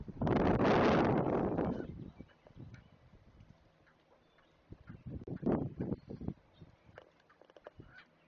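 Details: Great blue heron chicks begging as a parent arrives to feed them at a Chesapeake nest: one long, loud, rasping squawk lasting nearly two seconds, then quieter gaps and a later burst of several short, harsh, clacking calls.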